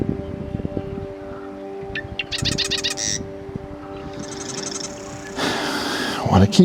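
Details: A marsh wren, very active and noisy while flitting among reeds and cattails in an Eastern Washington marsh on a bright morning, gives two quick, rattling bursts of buzzy notes, each under a second; a man talks over it, with a low hum behind.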